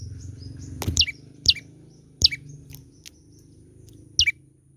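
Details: Sparse song of a young olive-backed tailorbird: four separated high notes, each sweeping steeply downward, mixed with sharp clicks and knocks against a low rumbling background.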